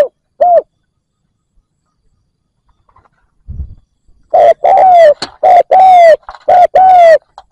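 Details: Decoy spotted dove luring wild doves. A lone coo is followed by near silence and a low thump. Then comes a rapid run of mid-pitched cooing notes, some slightly drooping, with clicking noises overlaid.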